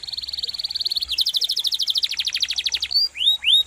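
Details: Rolling canary song used to tutor songbirds: a steady high trill shifts to a faster pulsed roll, then ends with two rising whistled sweeps.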